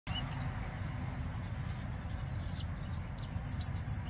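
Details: European robin singing on the banks of the Adige river, Vallagarina, Trentino: thin, very high twittering notes and short trills scattered through, soft and somewhat distant above a continuous low rushing rumble.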